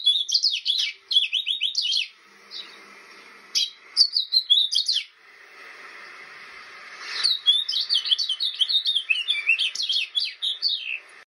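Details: House finch in a long bout of warbling: quick bursts of bright slurred and chirping notes, a short break, then a busy, rising and falling twittered stream that runs on for several seconds.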